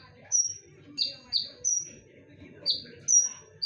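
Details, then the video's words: A konin lure recording gives sharp, ringing whistles in a loose rhythm, some in quick pairs. Long level high notes mix with lower down-sweeping ones over faint background noise. "SUARA TAJAM DAN NYARING / BERANI DENGARKAN SUARA PANCINGAN KONIN INI??"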